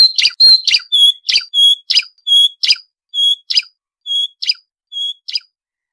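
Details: Marsh warbler song recorded as a model for training songbirds: clear, short whistled notes alternating with sharp high chips in a steady, unhurried sequence, slowing toward the end.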